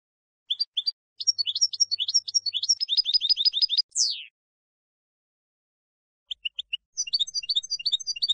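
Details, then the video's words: Goldfinch field song for teaching young decoy and contest birds: chattering high phrases building into rapid twitters, a loud falling slurred note, a pause, then twittering resumes. "Canto del jilguero CD campero para educar reclamos noveles"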